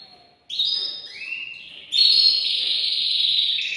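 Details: Male canary excited to court a female, singing long sustained high whistled notes with a lower gliding phrase between them.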